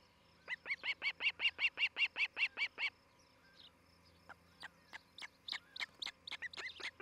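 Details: Nesting osprey pair at Charlo, Montana, seen on a nest cam one July 2018 morning. An evenly spaced string of about twelve bright, ringing chirps, a pause, then a looser series of quicker notes.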